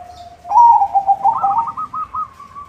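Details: Zebra dove, white form, singing to lure other zebra doves: a low steady coo swelling into a loud warbled phrase, then a series of quick rising-and-falling notes tapering off.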